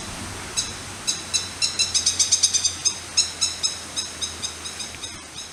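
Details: Four Crested kingfisher fledglings in mountains of Nara, Japan, on 30 May 2016, as the female parent brings food: rapid harsh high clicking chirps, about four a second, swelling then fading over a low steady hum.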